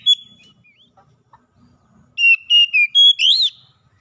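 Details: Oriental magpie-robin singing, used to train captive birds: faint scattered chips and twitters at first, then a loud burst of strong clear whistled notes, including a rising, buzzy slurred ending.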